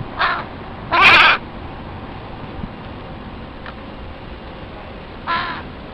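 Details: Young crows of a family back in their breeding territory, begging their parents for food with little success: three hoarse, nasal calls, the middle one loudest, spaced over six seconds against steady background noise.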